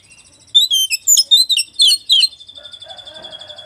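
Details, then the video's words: White-rumped shama from West Java singing, a song said to agitate other shamas: a fast burst of varied high whistles and sliding notes, followed by a long, steady, pure high tone with a faint lower murmur. "kacer lain emosi denger suara kacer jabar ini"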